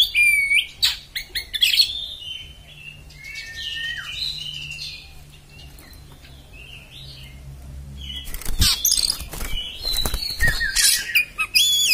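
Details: Oriental magpie-robin (kacer) with a harsh, intense song: bursts of whistled slurs and sharp chirps, a quieter gap in the middle, then dense scratchy, buzzy notes, with a low hum behind.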